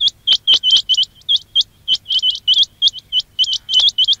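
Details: Quail call for trapping: loud, high, rising chirps repeated in irregular pairs and triplets, some overlapping, with very short breaks and a steady faint hum underneath.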